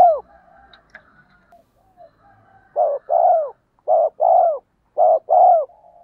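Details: Spotted dove decoy call, used to make wild doves coo back. After a quiet start with faint scattered sounds, the bird gives three low paired coos. Each pair is a short note followed by a longer, downward-bending coo.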